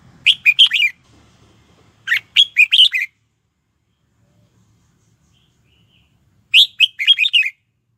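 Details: Caged red-whiskered bulbul used as a lure to call wild rivals to fight, giving three bursts of rapid, rich whistled notes about two to three seconds apart, each phrase of four to five notes, with quiet gaps between.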